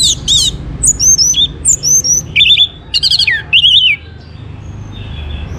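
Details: Orange-headed thrush (Geokichla citrina), a caged bird in Bali, sings to prompt other birds: loud, varied whistled song of short slurred phrases, wavering notes and rapid buzzy trills for about four seconds, then quiet.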